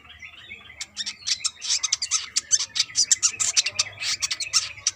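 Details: Female brown-throated sunbird calling to a male: a fast stream of sharp, high clicking chirps packed closely together, after a soft rising warble at the start, with a faint low hum underneath.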